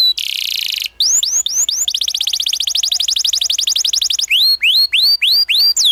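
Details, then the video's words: Tutor song from a canary used to teach young canaries: a buzzy burst, then rising whistled notes running into a long, very fast rolling trill, ending with slower upswept whistles. "PANCINGAN Kenari GACOR NGEROL Masteran Ampuh UNTUK KENARI PAUD BELAJAR BUNYI NGRIWIK"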